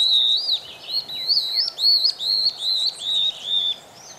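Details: Song of a pair of stripe-backed antbirds: a rapid series of high, clear whistled notes, each rising then falling, repeated about twice a second for nearly four seconds, with faint chirps behind.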